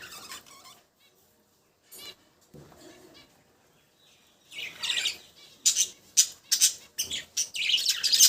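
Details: Budgerigars, faint and sparse at first, then a run of sharp high-pitched chirps and chatter packed into the second half.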